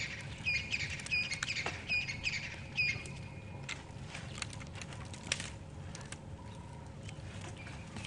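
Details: A francolin calls in African bush at sunrise on 12 October 2015, during a safari drive: harsh, scratchy notes in four quick bursts about one second apart, then fading, with other birds, including a bushshrike, calling faintly.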